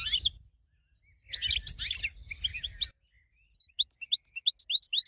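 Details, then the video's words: Champion goldfinch song for tutoring other birds: quick jumbled twitters, a dense chattering phrase, then a clean series of about ten short, rising whistled notes repeated several times a second. "BEST 12h GOLDFINCH Winner"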